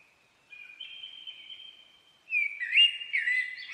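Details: A common blackbird holds a soft steady whistled note for nearly two seconds, then breaks into louder looping fluted phrases with a few high squeaks.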